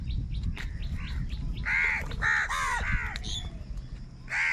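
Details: Crows contesting food give several harsh caws in a quick cluster mid-recording, with fainter calls before and one more at the end, over rumbling low noise.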